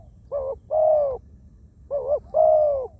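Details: Ground decoy spotted dove, wild-caught and cooing freely: two phrases, each a brief wavering note running into a longer soft, steady coo, about 1.5 seconds apart.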